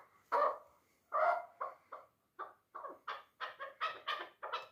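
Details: Dulan chukar partridge, a three-year-old hunting bird, opens with two strong, separated clucks, then quickens into a series of shorter, rising chuk notes.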